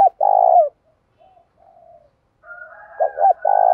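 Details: A long throaty coo closes one phrase at the start. Soft low murmured notes and a faint higher tone follow, then a new phrase of quick double notes into a sustained coo. A Spotted dove is provoking a fight in the 'giọng đồng thổ' voice style.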